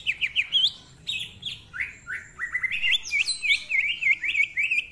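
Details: Greater green leafbird in full 'ngentrok' song packed with varied phrases and a rough voice, used as a master and lure recording for training other birds: rapid sharp whistled notes, rising slurs and a closing run of quick repeated chirps.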